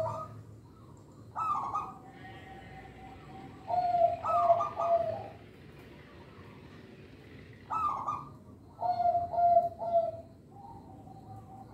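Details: Local zebra dove song used for luring young birds and training lazy caged singers. Short bursts of pulsed, vibrating coos, each falling from a higher trill to lower notes, repeated at intervals of several seconds.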